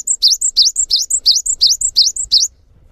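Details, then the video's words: Singing gelatik batu, the cinereous tit, with a long gacor song said to draw other tits into singing: about nine quick, evenly spaced high two-note phrases, a thin whistle followed by a swooping slur, then stillness. "GELATIK BATU GACOR | WUCIT PANJANGNYA BIKIN GELATIK LAIN JADI TERPANCING UNTUK IKUT BUNYI"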